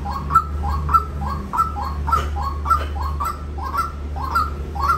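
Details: Repeated harsh notes from a white-breasted waterhen, each a quick falling croak, spaced a little under two per second, with a steady low droning hum beneath.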